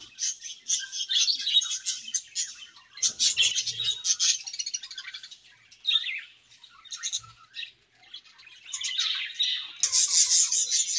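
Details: Budgerigars in a colony chirping while eating, with bursts of rapid high chatter and harsh squawky notes separated by short quieter gaps, ending in a loud dense outburst.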